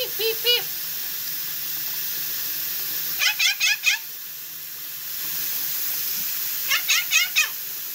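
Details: A pet male Quaker (monk) parakeet mimics electronic beeps, quick bursts of three or four, repeated every few seconds.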